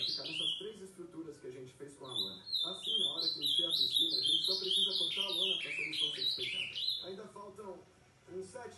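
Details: Ultramarine grosbeak song late at night, past 11: a long, fast series of high whistled notes sliding down and up, strung together for several seconds before trailing off into quieter notes.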